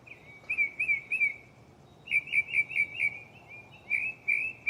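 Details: In a tree right next to the recorder at night, a mockingbird repeats slurred warbling notes in short series, a trio first, then a longer run after a brief pause.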